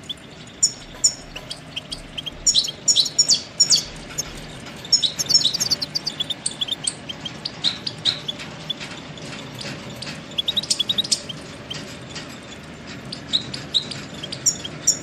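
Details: Goldfinch song in a lively, busy stretch: dense tinkling twitters and thin chirps pour out in long runs, some slightly harsher notes mixed in, over a low hum.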